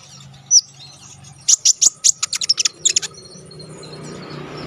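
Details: Konin in full song for training contest birds: one sharp high note, a pause, then a quick string of a dozen piercing chirps, ending in quiet hiss.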